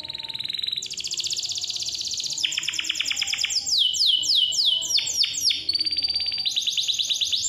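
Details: Canary song used as a lure to get young or quiet canaries singing; clear, loud, rapid trills shifting between fast buzzy rolls and repeated down-slurred whistled notes, changing phrase every second or two.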